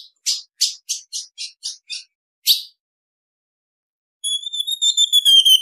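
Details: A female ultramarine grosbeak gives a call said to excite males: about eight sharp, high chips over two seconds, then after a pause a high, steady, pulsing whistle.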